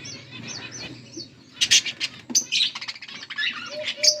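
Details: Pet budgies, a pair of Australian parrots, give soft warbling chirps that break into sharper, louder squawks and twitters in the second half, over a low background hum.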